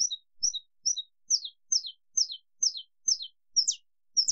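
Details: Saffron finch, long "estalo" song: high paired chips with a lower tail note shifting into sharply falling snapping notes, about two per second, steady and clear against silence.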